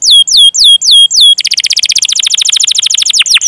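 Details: Canary song used as a lure to prompt young or silent canaries to sing: five slow, loud downslurred whistles, then a rapid rolling trill of descending notes ending in a couple of sweeping chirps.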